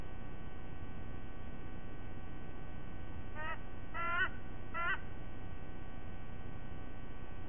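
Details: White-bellied sea eagle at a Sydney nest, recorded 5 October 2023 at 07:45; three loud, goose-like honking notes with rich stacked harmonics come in quick succession midway, over a steady low hum.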